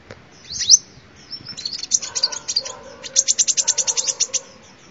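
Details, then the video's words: Sunbird song used as a lure: a loud high chirp, softer twittering, then a fast, even series of high clipped notes in a rapid trill toward the end. "tiếng chim hút mật làm mồi chuẩn"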